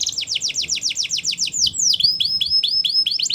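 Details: Canary delivering training song, a fast series of about a dozen repeated sweeping notes, then one long loud downslur followed by crisp, evenly spaced chipping notes.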